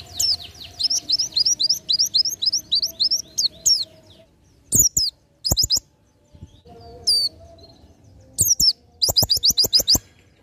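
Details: Oriental white-eye singing in the 'ngalas nembak' style, recorded as tutor material for training birds. Rapid bursts of high, sharp, down-slurred chirps, broken by pauses and repeated, with loud dry clicks between phrases.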